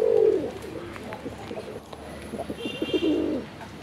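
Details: A red single male domestic pigeon (desi, Raj Golla type) at a farm in Kashimpur, Gazipur, calls repeatedly with low, throaty, rolling coos, with faint background noise.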